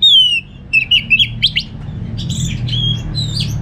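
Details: Orange-headed thrush kept at home in North Bali, singing as a lure for other birds. A falling whistle opens, followed by quick twittering notes and softer warbled phrases over low background hum.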